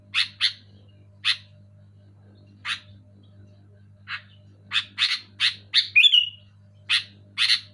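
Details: Sooty-headed bulbul chirping, for encouraging silent caged bulbuls to sing: scattered single harsh notes at first, then a quicker burst of chirps ending in a falling whistled slur, low hum throughout.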